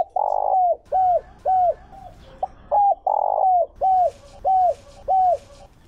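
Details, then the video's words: Lure spotted dove giving 'Chiêu Ba Hậu' calls to excite wild doves: a long, broad opening note followed by clipped, descending coos, another drawn-out note midway, then steady short coos with soft rustling in the background. "Tiếng Chim Cu mồi Chiêu Ba Hậu Dùng Kích Bổi"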